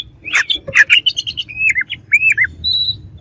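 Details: Oriental magpie-robin, its song meant to excite opponents: rapid scratchy chirps and clicks run into a chain of short, wavering whistled notes, ending in a thin, high, steady whistle.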